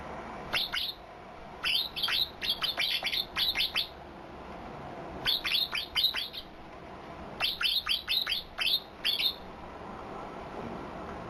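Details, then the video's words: White-eye performing an odd, unusual fill-in song: three clusters of rapid, sharp descending chirps, each cluster roughly a second long, separated by several seconds of quiet hiss. "PLECI 🔊SUARA ANEH, ISIAN 👅💦ANEH"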